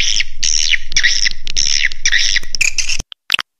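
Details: Swiftlet roosting lure sound (suara inap): steady stream of buzzy chirps about four per second over a low hum, stopping abruptly, then two faint clicks.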